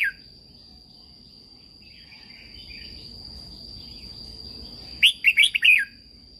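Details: A red-whiskered bulbul recording from Thailand for training caged birds. Mostly hush with a soft distant trill, then near the end one loud, rapid phrase of four or five liquid rising-falling whistles, under a steady high whine.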